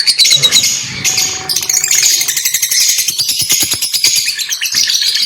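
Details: Shrill lovebird chatter of high squeaks and twitters, with a faint steady hum early on, then a run of quick clicking pulses beneath the overlapping squeaky notes in the second half.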